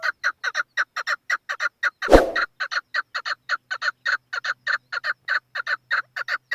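A chukar repeats harsh clucking chuk notes, about five per second in a steady run. A single dull knock breaks in midway.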